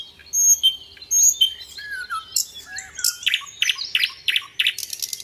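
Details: Sikatan londo, the little pied flycatcher, singing varied gacor song: high whistled phrases, a low slurred note, then a busy run of loud sharp chips and buzzy notes.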